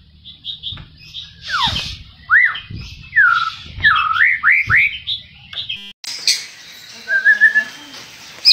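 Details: Aggressive white-rumped shama song to provoke rival shamas: loud swooping whistles rising and falling in arcs, interspersed with short chips; the sound cuts to a fainter, noisier passage with a thin whistle near the end.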